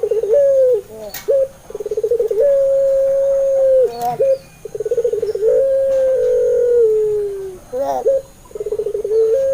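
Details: Puter pelung dove cooing, played as a lure so reluctant or learning doves answer and sing: long steady coos alternating with rapid bubbling pulsed trills, several phrases each about two to three seconds, a brief rustle between phrases.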